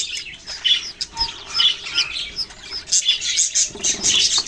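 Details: Budgerigars chirping together, recorded November 6, 2023: a dense, overlapping chatter of high twittering notes and short warbles, with brighter chirps and little trills rising out of it and no pause throughout.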